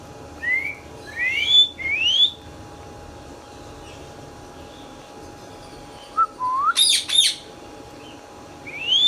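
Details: Green Indian ringneck parakeet, a pet talking parrot, makes a few rising whistled notes early on, then a short harsh squawk after a long quiet pause, and one final upslurred whistle.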